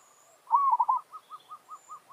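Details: Zebra dove kept as a decoy to draw wild doves into a territorial challenge. One loud phrase of a drawn, arched coo and two quick rolled notes, then a run of soft short coos evenly spaced about five per second.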